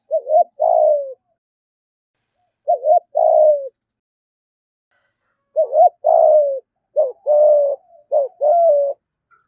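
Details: Spotted dove giving a provoking 'thúc gù' coo meant to draw rival doves to fight. Three low, mellow phrases about three seconds apart, each a quick double note followed by a longer, slightly falling coo.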